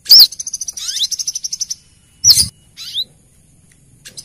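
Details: Female brown-throated sunbird calling to the male for luring: a sharp arched note leads into a quick even trill with a rising sweep, then another loud note and a short buzzy upslur.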